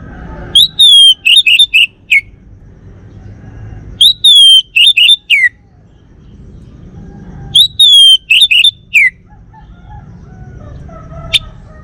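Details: A male Bali orange-headed thrush kept at home repeats the same song phrase three times, about every 3.5 seconds: a long bright whistle followed by a quick run of chirps ending in a downslurred note.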